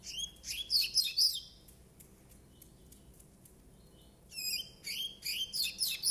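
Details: Nine-month-old double-collared seedeater in brown plumage sings two bursts of rapid, high, buzzy twittering notes with sliding whistles, separated by a quiet gap of about three seconds.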